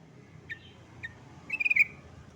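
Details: Yellow-vented bulbul calling to a rival, giving two soft isolated chirps about half a second apart, then a rapid run of about five bubbly, slurred notes, with a quiet low hum underneath.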